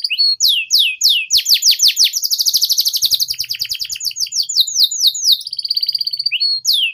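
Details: Canary song for teaching young canaries the ngeriwik sound: a few sweeping notes lead into a long, fast rolling trill, then looser chirps and a final sustained buzzy tone.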